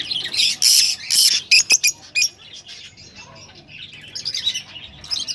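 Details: Rosella vocalizations for stimulating mating: two harsh, rasping bursts followed by quick sharp clicks and chips, then a stretch of softer, scattered high chatter.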